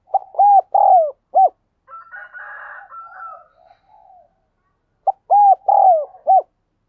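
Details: Spotted dove acting as a decoy, calling urgently to bring in wild doves: two four-note coo phrases of short, long and short hollow notes, with a fainter, higher, drawn-out call from another bird between them.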